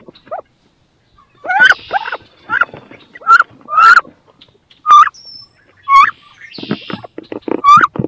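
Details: Two female wood ducks fighting over a nest box where both want to lay eggs; loud squealing rising calls repeated in short bursts, with some rustling between.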